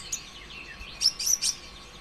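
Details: Sunbird (konin ijoan) song used to provoke other birds to sing: a thin faint warble followed by a tight burst of three or four sharp high squeaky chirps.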